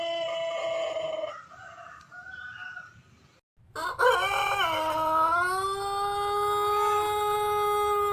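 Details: Crowing white Pelung rooster: the close of one crow, a short silence, then a fresh crow that bursts out, dips and settles into a long, even, drawn-out tone.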